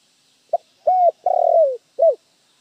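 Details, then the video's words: Spotted dove lure call used to attract wild doves: a short clipped note followed by two drawn-out, slightly falling coos and a final downslurred coo, clean with no background sound. "tiếng chim cu gáy mồi chuẩn cực hay kích bổi"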